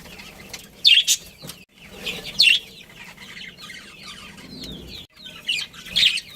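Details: Budgerigars in a breeding colony give scattered sharp chirps and a few louder squawky bursts about once a second over soft background chatter.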